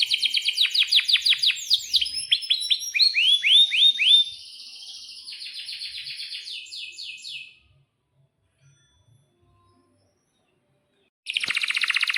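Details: Canary singing a long roll for young birds to copy: rapid falling notes and sweeping whistles, a softer high buzzy trill fading out, silence, then a loud dense trill bursting in at the end.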